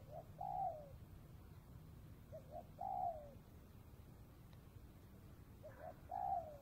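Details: Spotted dove calling during dove trapping near the Cambodian border in the afternoon; three widely spaced phrases, each a soft double note then a drawn-out descending coo, over quiet rural background noise.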